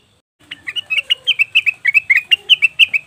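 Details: Leafbird lure calls for attracting wild birds: a steady run of crisp, two-part chirps, roughly three per second, each note bending slightly downward, over a faint low murmur.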